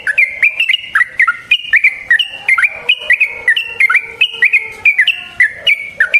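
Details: Continuous bubbly Yellow-vented bulbul song used to make other bulbuls respond: a steady run of short slurred whistled notes, some dropping lower, delivered in quick succession without a break.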